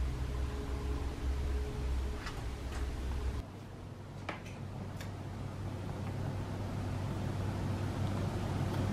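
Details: A low vehicle rumble with a steady hum that drops midway, plus a few faint clicks and no clear animal calls.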